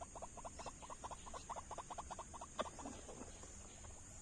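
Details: White-breasted waterhen responding to a lure in an oil palm plantation never trapped before. A quick run of short, croaking notes repeats several times a second, then fades, over a steady high hiss.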